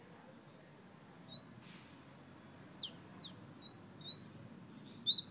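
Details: Whistling of a fire red Guyana bird. A few scattered downward-sliding notes come first, then a quickening string of bright, short whistles that fill the last second and a half.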